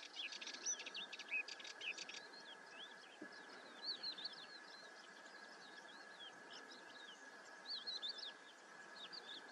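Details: Ringed plover uttering many short, upslurred piping whistles in loose runs, with a burst of clicking notes early on and a constant droning hum behind.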